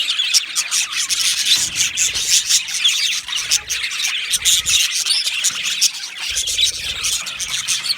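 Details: Budgerigar colony chirping in an aviary, Australian budgies, 15 July 2025: crowded high-pitched twittering and sharp chip notes from many birds, rising and falling in loudness.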